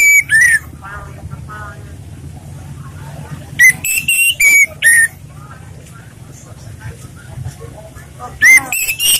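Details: Relaxed song of an orange-headed thrush meant as a lure for other birds: loud, clear slurred whistles in short groups at the start, middle and end, with murmured talk in between.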